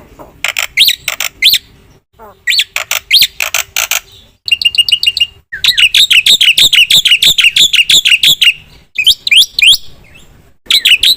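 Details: Black-winged myna in energetic song, mixing harsh buzzy bursts, squawks and quick rising whistles into rapid repeated series, with brief gaps between loud phrases.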